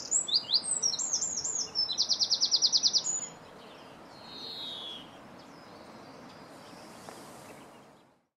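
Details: A European greenfinch recorded in 2017 while feeding twitters and runs into a fast, even trill of high notes for about three seconds, followed by a faint softer note and near quiet.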